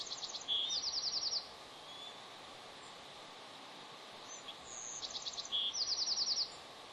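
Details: A bald eagle pair at their Pelican Harbor nest on Santa Cruz Island: the male arrives while the female incubates a two-day-old egg. Two bouts of high, thin, rapid chittering notes, each about a second long, with some squeaky slurs between.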